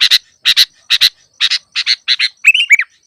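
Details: Sooty-headed bulbul chatter played to lure birds for trapping and to prompt reluctant lure birds to sing: rasping double notes repeated about every half second, ending in a brief rising and falling whistled phrase.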